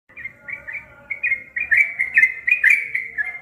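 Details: Caged trucukan ropel (cream-vented bulbul) set outside on a morning, 31 July 2021, singing a fast, rambling run of short chirpy whistled notes that blur together and grow louder toward the end.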